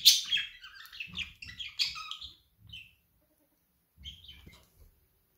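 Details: Pet budgerigar chattering rapidly in scratchy warbled notes for about two seconds, then falling quiet before a brief softer chirping phrase, with light low handling noise.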